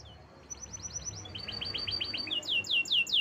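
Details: Canary singing a chain of clear downward-slurred notes, about five per second, shifting pitch between groups and growing louder toward the end.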